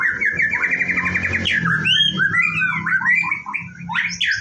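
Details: Morning routine of a white-rumped shama (murai batu) about to bathe: a fast trilled stutter of repeated notes, then varied whistled phrases sweeping up and down, over a constant low hum.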